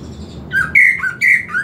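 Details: Greater green leafbird song during master-audio training, three quick whistled, slurred phrases alternating higher and lower pitch, each well under half a second, clean with little background.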